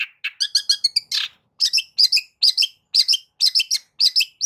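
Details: Long-tailed shrike song used to trigger singing in a silent shrike: a short chattering flurry, then repeated paired harsh notes with falling whistles, about two per second.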